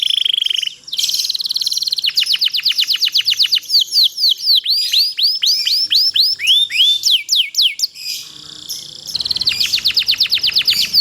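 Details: Canary master song for other canaries to copy: brief high whistle, then long sequences of fast repeated swept notes, clusters of curved whistles and a closing rapid trill.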